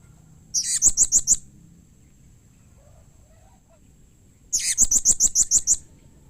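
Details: Two bursts of seven or eight fast, piercing, high-pitched chirps from a blue-crowned hanging parrot, separated by about three seconds of quiet; other hanging parrots are said to reply readily to this call.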